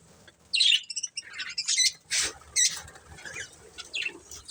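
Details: Budgerigar breeding pair heard in scattered squeaky chirps and short scratchy notes, with bursts of wing flapping and a soft background hum.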